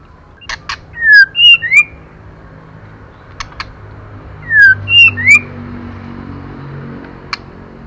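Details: Female white-rumped shama calling to stimulate male birds: two short phrases of three clear slurred whistles each, falling then rising, separated by a few seconds, with scattered sharp clicking ticks and a low background hum.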